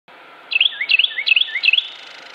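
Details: Carolina wren song recorded on a photo walk in Cabarrus County, North Carolina, USA, on 26 January 2016: four quick, ringing phrases, each a rolling whistled triplet about three a second, over faint hiss.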